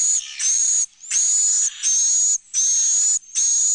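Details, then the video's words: Swiftlet roosting sound for a bird-house sleeping and nesting room: loud rasping, hiss-like buzzes lasting around half a second each, broken by short silences, with a steady high whistled tone inside every burst. "Suara Inap Burung Walet"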